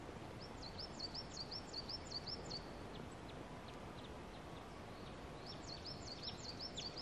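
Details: Wild birds singing in Thetford Forest as spring approaches: two bursts of high, thin, rapidly repeated chirps, each series lasting about two seconds, over a steady hiss of ambient noise.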